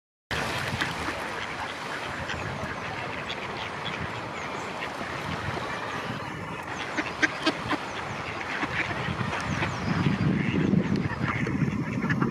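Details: Domestic ducks quack in a rough, busy chorus over steady splashing and background noise, during mating with a female, at Friedrich Ebertpark, Ludwigshafen am Rhein.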